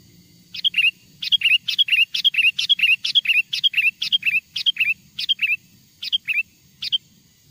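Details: Wild sooty-headed bulbul singing, used to lure wild bulbuls closer: a rapid run of about fourteen short bubbly, whistled phrases, each a quick up-and-down slur, repeated roughly twice a second and slowing toward the end.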